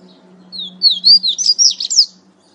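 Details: Double-collared seedeater from Natal, Brazil, delivering a 'pateta' style song: a quick series of high, clear, slurred whistles rising and falling for under two seconds over a steady low hum.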